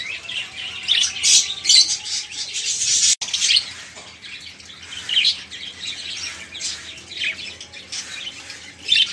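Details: Loud, busy budgerigar flock chatter from caged birds, meant to stir quiet songbirds such as canaries and magpie robins into singing. Continuous high warbling, squeaks and rapid twitters, briefly cut once partway through.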